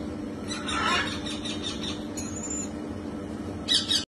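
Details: A red-collared lorikeet gives harsh, screechy squawks: a rasping burst early on, a thin high squeal midway, and a sharp shriek near the end, over steady background hiss.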